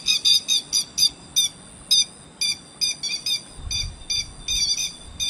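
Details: Grey-headed lapwing lure call for trapping: shrill, grating notes in quick clusters and pairs, irregularly spaced, with a low rumble of handling noise midway through.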